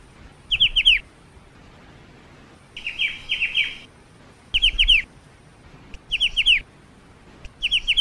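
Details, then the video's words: Black-winged starling song: repeated phrases of three to five clear, falling whistled chirps, about one phrase every one to two seconds, in a quiet setting. "MASTERAN KICAU BURUNG CIU"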